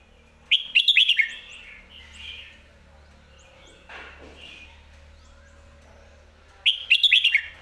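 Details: Caged competition red-whiskered bulbul in lak wai and mae bot song styles. It gives two short bursts of fast, bright chirping notes about six seconds apart, over a low steady hum and a soft rustle.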